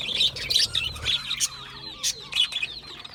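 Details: Aviary budgerigars chatter in short, bright chirps and clicks, a few sharp bursts standing out above a steady high twitter, with a faint low hum underneath.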